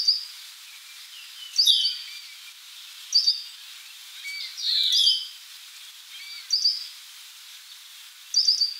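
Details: Worm-eating warbler at rest, usually on the ground and out of sight, uttering spaced clusters of sharp, high chip notes roughly every one to two seconds, plus a longer, lower descending slur midway.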